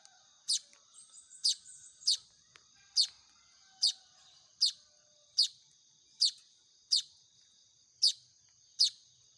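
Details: Hand-fed Baya weaver chicks give a long run of about eleven high, sharp, down-swept begging chirps, mostly under a second apart, with soft twittering early on and a steady high whine.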